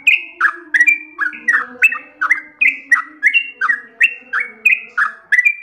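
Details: Trucukan, the Yellow-vented bulbul, singing nonstop in long ropel runs: bubbly, gurgling notes alternating between lower and higher pitch, delivered briskly and evenly over a faint low steady hum.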